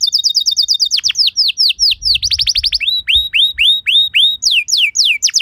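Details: Canary singing a lure song meant to provoke other canaries: quick rattling trill of short high notes, then slower repeated rising and falling whistles about four per second, clear and bright.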